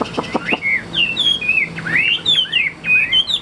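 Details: Tame Chinese hwamei (Garrulax canorus), a good singer, sings a rapid, varied run of loud, clear whistled phrases with rising and falling slurs, opening with a few sharp clicking notes.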